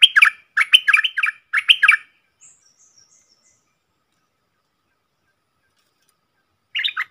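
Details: Red-whiskered bulbul, a wild bird answering a caged decoy bird, gives a few short bursts of bright, chattering whistled notes that rise and fall, then a pause before another brief phrase begins.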